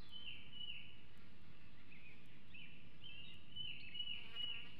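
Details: Bald eagle eaglet at the Hanover nest in 2021, showing possessive food aggression days before fledging: thin, high whistled calls, drawn out and dipping slightly at their ends, given in a loose series over steady low rumbling background noise.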